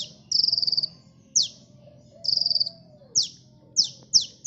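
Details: Sunbird song used to attract birds: two short high buzzy trills alternate with single sharp down-slurred chips, with a soft low hum in the background.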